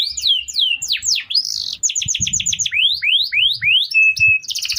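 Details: Canary song meant for training other birds: varied swooping whistles, a quick burst of repeated notes, rising slurred phrases and a brief flat held tone near the end.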